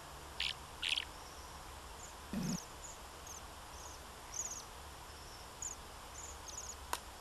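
Bohemian waxwings trill softly: thin, very high, ringing sirrr notes, short and repeated from several birds, with a few sharp clicks and one low thump.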